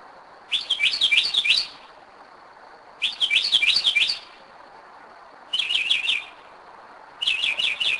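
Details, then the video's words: Northern mockingbird singing at 2am at night in Kennesaw, Georgia, at a spot it has returned to for several years; four bursts of rapid, high, chattering trilled notes, each about a second long, separated by short pauses. "Mockingbird 2am"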